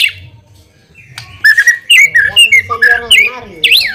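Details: White-rumped shama song played as a lure to draw a quick response: a rapid string of varied whistled and warbled notes, some rising and falling, after a faint low rumble at the start.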